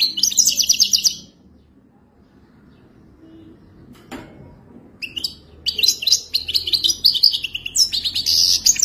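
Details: High, rapid twittering from a Moroccan goldfinch in the wadani style: one short burst, a long silence broken by a single click, then almost four seconds of continuous bright, chattering trills.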